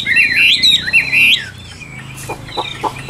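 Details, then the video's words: Caged Chinese hwamei offered for sale in Vietnam, singing loud, clear whistled phrases with slurred rising and falling notes for about a second and a half, followed by quieter rapid clicking notes and background noise. "Họa Mi Tam Hoàng Miệng Mỏ Như Máy Khâu, Điện Đóm Căng Hót Hét Bài Bản"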